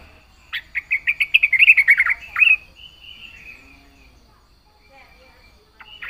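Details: Yellow-vented bulbul (trucukan) singing actively in full 'isian' style: a quick run of bubbly chirping notes near two seconds long, then a faint sustained whistle and quiet before a final note.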